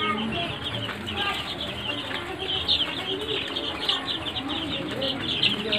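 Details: Sonali chickens, also called golden chickens, kept on a farm; a dense, continuous chorus of high, thin peeps from many birds overlapping throughout, with faint low murmuring and clucking beneath.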